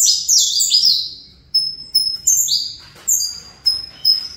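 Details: Captive fibra saffron finch opening with a rich, rapid high phrase, then switching to clipped, separate whistled notes, each one a sharp loud strike about half a second apart.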